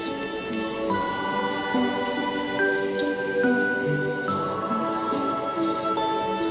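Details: Soft, tinkling instrumental music with sustained chime-like notes plays throughout, with no animal voice.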